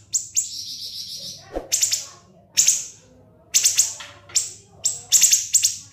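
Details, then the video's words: Shrill siri-siri song used to tutor other songbirds: an opening high sustained whistle-trill, then spaced bursts of piercing, clipped notes separated by short silences, about one burst per second. "MASTERAN BURUNG SIRI-SIRI NGEBREN SUPER PEDAS TEMBAKAN TAJAM & SUPER PANJANG"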